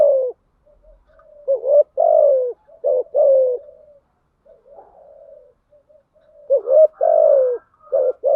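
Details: Calls of a female spotted dove serving as a lure for males in thúc gù and gáy gọi styles. Bursts of clipped notes and descending coos are broken by a quiet murmuring pause, then the cooing resumes.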